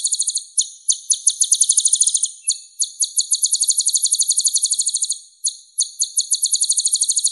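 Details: Purple-throated sunbird, called kolibri ninja in East Java and kolibri raja or kolibri tasik elsewhere: long bursts of very high, tightly repeated ringing notes, interrupted by short gaps and restarting, clean with no other sounds.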